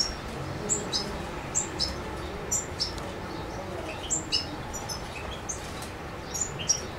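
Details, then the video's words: European goldfinch in Macedonia, recorded 7 July 2011: scattered, thin, high twittering notes spread across several seconds over a steady background hiss. "Suki Makedonski-Carduelis carduelis"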